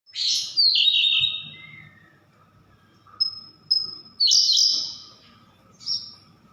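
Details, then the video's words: Siberian blue robin singing: a loud, rapid descending trill, then thin high whistled notes and a second buzzy trill burst, with a steady faint hum underneath. "Burung Siberian Blue Rubin"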